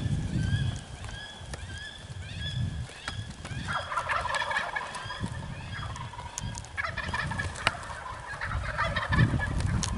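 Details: Wild turkeys in Iowa during a youth season hunt, gobbling as the hunters reached the spot, with birds at 30 yards. Bursts of rapid rattling gobbles midway and again later, over rustling and handling noise.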